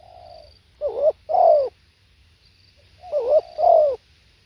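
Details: Spotted dove cooing twice: a soft drawn-out opening note, then two loud two-note coos, each a short note followed by a fuller, falling coo, about two seconds apart.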